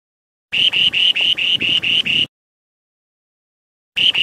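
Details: Spoon-billed sandpiper singing: a quick series of eight buzzy, even, high notes lasting under two seconds, then silence before another burst begins at the end; no other sounds.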